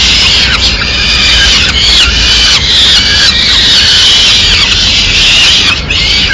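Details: Peregrine falcon young in Madrid calling strongly for food while the female brings a small bird and begins holding back part of it; unbroken harsh, high squealing cries, wavering and intense.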